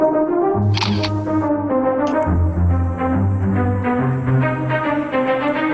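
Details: Bold theme music with brass, timpani rolls and a high sustained electronic tone throughout; no animal sounds are present.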